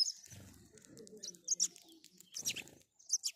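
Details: House sparrow chirping: short bright high notes in small clusters, a pause then more chirps, over faint low cooing or rumbling sounds.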